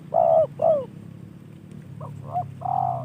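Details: Spotted dove, a trained hobby bird received as a gift, giving a soft phrase: two strong mellow coos, a pause, then quieter broken notes ending in a longer held coo over low background hum.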